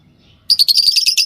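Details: A pair of yellow Fischer's lovebirds chirping: after a short quiet start, a rapid run of high, sharp chirps, about ten pulses in under a second.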